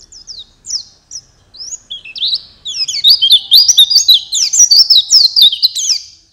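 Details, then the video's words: A lure recording of white-eye song for night and morning. Scattered thin, falling chirps gradually speed up into an excited, very high, chattering warble of rapid slurred notes that stays loud before tapering off at the end. "Masteran pleci, cocok untuk malam dan pagi, langsung nyaut"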